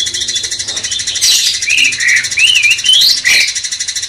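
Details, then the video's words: Sooty-headed bulbul master song to provoke a magpie-robin: a flowing phrase of smooth, wavy whistles climbing gradually in pitch, bracketed by two harsh bursts, with constant high hiss behind. "Masteran cucak cungkok bangkitkan emosi kacer"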